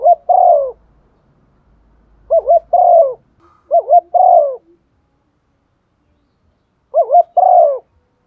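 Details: Spotted dove serving as a decoy, cooing to draw calls from others: four phrases, each a quavering two-part note then a descending coo, spaced irregularly, with faint low background noise.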